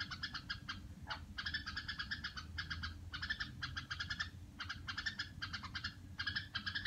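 A red-whiskered bulbul chatters in quick bursts of bright, scratchy warbled notes, each burst about half a second, almost without pause. A low steady hum runs underneath.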